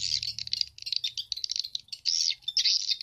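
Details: Stereo swiftlet-house lure recording pairing SP Bulan Madu with SP Black Phoenix, used to attract edible-nest swiftlets: fast, shrill chattering chirps in clustered bursts with brief gaps, a faint low hum at the start.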